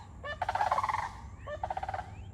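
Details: Sandhill cranes calling as they fly over a butterfly garden in the morning, a sound likened to something prehistoric: rolling, rattled bugling bursts, a long one lasting about a second followed by a shorter second burst.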